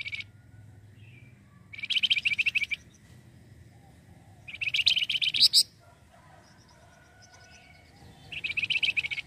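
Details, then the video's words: Lure recording of a flamboyan bird: three bursts of quick, shrill, chattering trills, each about a second long, separated by pauses of a few seconds, with low background hum. "pancingan flamboyan gacor"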